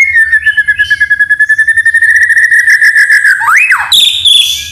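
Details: White-rumped shama song with canary and cililin imitations, meant to provoke and tutor other shamas: a long, fast, buzzy canary-like trill lasting about three seconds, then an upswept whistle and a harsh rasping burst.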